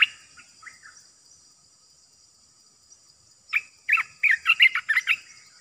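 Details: Olive-winged Bulbul as a caged decoy, soft scratchy notes at first, then a loud burst of rapid, bubbling chirps.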